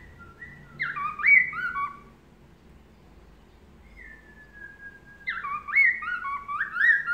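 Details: Melodious laughingthrush song used as a master recording to make other birds answer: two bursts of loud, rich whistled phrases with rising and falling slurred notes, separated by a long level whistle, over faint low background noise.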